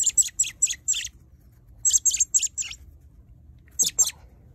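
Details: Young robin being hand-fed on worms after a fall from the nest left its feet broken; high, thin chirps in quick bursts of four or five, pausing between groups, with a final pair of sharper notes.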